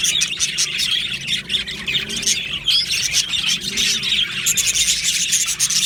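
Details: Australian budgerigars in an aviary colony chattering together: a dense, continuous wash of high chirps, squawks and warbled notes, with bursts of sharper squeaks near the end.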